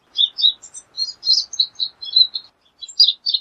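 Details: Pine siskin giving sparse, short high chirps and tweets, spaced irregularly about one per second, in quiet surroundings.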